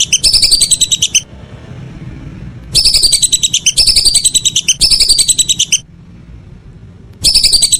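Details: Whistling ducks in the evening: bursts of rapid, high, clear whistled notes in phrases about a second long, the first pausing before a longer run of back-to-back phrases and a final burst; faint low hum beneath.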